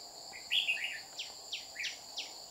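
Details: Red-whiskered bulbul, a wild bird descending to threaten a trapper's decoy in Đồng Nai, Vietnam, 30 July 2019. One loud warbled phrase, then a run of sharp falling chirps roughly every third of a second, insects droning behind.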